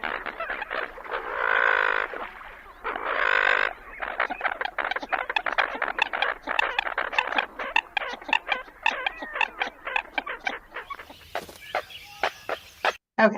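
American Coot giving harsh, nasal croaks and grunts, starting with two long squawking bursts, then a rapid series of short clucking notes.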